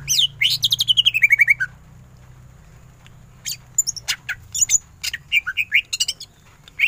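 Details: Greater green leafbird in full ngentrok song with tembakan bursts: a rapid stuttering run of notes sliding down in pitch, then a pause before scattered sharp chips and short whistles.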